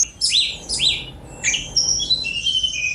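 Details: Sunda robin giving two swooping, downslurred whistled notes, then a thin rising note and a run of high, level piping tones. The short phrase is clear against a quiet background.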